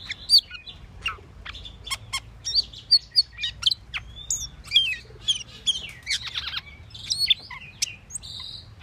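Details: Asian glossy starling calling: a busy run of sharp, high chirps and short metallic whistles, some downslurred, coming in quick irregular bursts across the recording, with a faint low hum underneath.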